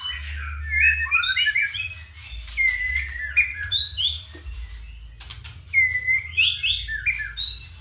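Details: A ringed white-rumped shama with a 31 cm tail from Purworejo sings rich, varied whistled phrases, clear fluting notes and quick warbles in bursts, over a steady low hum and occasional clicks.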